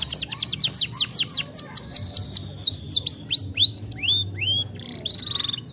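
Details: Canary song for stimulating lazy canaries: a rapid run of falling slurred whistles slowing into longer, spaced rising-and-falling notes, ending in a short soft trill.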